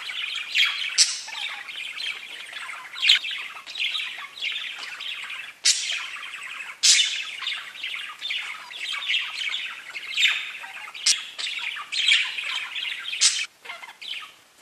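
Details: Several parakeets chirping and chattering to each other in a dense, nearly continuous stream of scratchy, warbled chirps and squawks, with sharp louder notes every couple of seconds.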